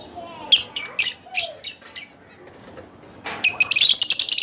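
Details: Caged split blue Fischer's lovebirds chirp harshly in short repeated bursts, go briefly quiet, then break into a fast, dense chatter of high notes.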